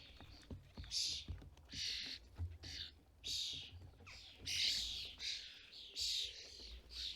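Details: At a UK garden feeder in fledgling season, European starling parents collect food for fledglings. Rasping, noisy squawks come in short bursts about every second, some louder than others, with faint low rumble beneath.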